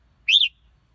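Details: Red-whiskered bulbul singing a single quick whistled phrase with an arched, rising-then-falling shape, clear and close in a quiet setting.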